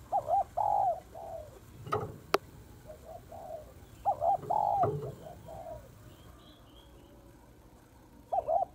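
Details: Female spotted dove calling to excite males: mellow two-part coos, a short note then a longer one, recurring in groups about four seconds apart, with a few sharp clicks and faint low rumbling between phrases.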